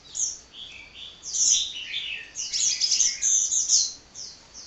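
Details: Energetic, nonstop sunbird song: a shrill, jumbled stream of high chirps and short trills that swells into a dense burst in the second half.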